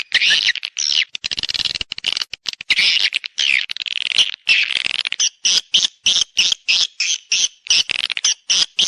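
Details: Swiftlet calling used as a lure for mating and nesting: rough, rasping high twitters, tightly packed and overlapping at first, later spaced into regular buzzy chirps about three per second.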